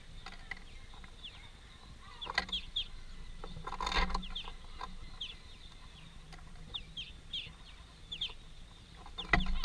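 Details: Greenfinch family feeding at a workplace: short, high, downslurred call notes repeated irregularly throughout, over a steady low mechanical hum with occasional clattering knocks.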